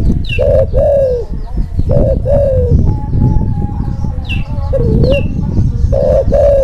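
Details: Spotted dove of the Kelantan type in breeding condition, used as a training model for silent doves and for trapping; repeated soft, falling coos over a strong low rumble of background noise, with occasional high chirps from other birds.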